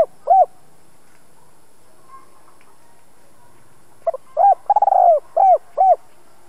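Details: Spotted dove kept as a decoy, two-ending voice, used to excite newly caught birds; one early coo, a quiet gap, then a full phrase of soft double note, rounded coo, rolling trill, and two hollow end coos.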